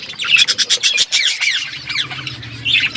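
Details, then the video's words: Budgerigars chirp in an outdoor aviary, a rapid run of sharp squawky notes followed by scratchy warbling chatter, with a low steady hum underneath. "Budgies in my outdoor aviary birds chirping sound"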